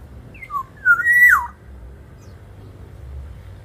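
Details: Black-naped oriole singing eagerly as a training lure for other birds: one fluty phrase of two short notes and a long swooping whistle ending in a downward slide, then quiet with low hum.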